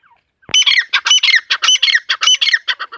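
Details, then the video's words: Excited call of a female teetar (partridge): a sharp onset, then a steady run of rasping, squawky notes, about a dozen in three seconds, some carrying a thin whistled overtone. "mdi ke Awaz # tetar sound # Teetar Voice # Atif Bhkar Bird # Tetar ke masti wali korak"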